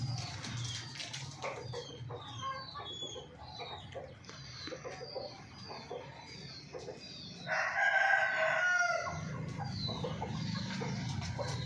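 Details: Chicken in a farmyard: several seconds of sparrow-like chirping and clicking, then one loud, raspy, drawn-out crow-like call of about a second and a half, followed by low hum.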